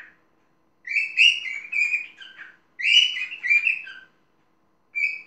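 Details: Parrot uttering strings of rough, warbling, nasal notes in two bursts of about a second and a half, followed by a brief third call near the end.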